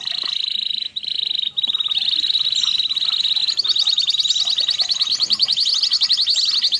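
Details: Red canary singing: steady high buzzy tone gives way to a long, fast rolling trill of rapid repeated notes. The trill holds an even pitch and grows slightly louder toward the end.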